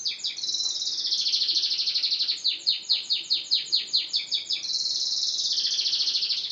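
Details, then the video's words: Yellow canary in full song: a bright continuous high roll, then a series of about a dozen crisp downward-slurred notes at an even, quick pace, ending in another sustained buzzy trill. "canary / kenari kuning / yellow gacor"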